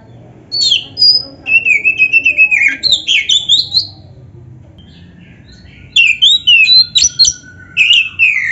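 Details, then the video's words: Oriental magpie-robin in full 'gacor' song with champion-style 'isian' fill phrases, played to prompt other magpie-robins to answer quickly; bursts of rapid whistled and chattering notes with rising and falling slurs, a pause midway, then a fresh burst. "SUARA BURUNG KACER GACOR ISIAN JUARA ‼️ - Stel suara ini BIKIN KACER LAIN CEPAT NYAUT"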